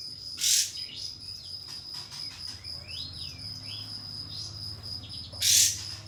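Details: Pied fantail song played to call a rival and draw a young bird into fanning its tail and singing in response. Several arched whistled notes in the middle, loud harsh bursts at each end, and a constant high insect hum throughout.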